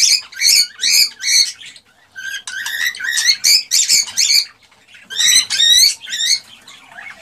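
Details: Cockatiel song meant to stimulate mating: bursts of rapid, harmonic chattering notes, then a pause, then two whistled phrases, then a final loud chattering burst.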